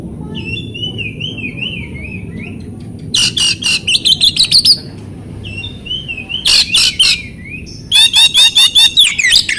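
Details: Oriental magpie-robin song used as a training lure for silent, stressed birds: undulating whistled phrases alternate with bursts of sharp, rapidly repeated notes, about three per second, over faint background hum.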